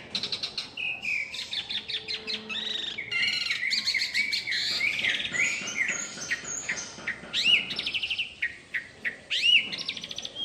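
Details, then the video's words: Asian pied myna in a tree, singing an energetic varied song mixing squawky rattles, clear upward whistles and short chirps, delivered almost nonstop. "Suara Asli JALAK SUREN Gacor FULL ISIAN Di Atas Pohon"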